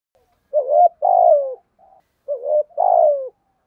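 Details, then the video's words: Spotted dove giving a 'giọng thổ' style coo: two phrases, each a quick broken opening note and then a drawn-out descending hoot, with a faint soft murmur between them. "cu gáy thúc gù giọng thổ"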